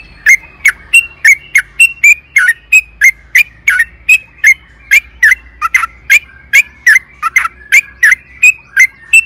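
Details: Sooty-headed bulbul singing actively, used as a lure for caged birds: crisp whistled notes repeated steadily, roughly two or three per second, for the whole stretch, with faint low background hum.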